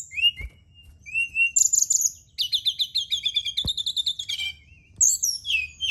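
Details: Night song of a Brown-chested jungle flycatcher used to coax singing: short whistles, then long runs of rapid repeated high trilled notes, sharp high flourishes and a few soft clicks.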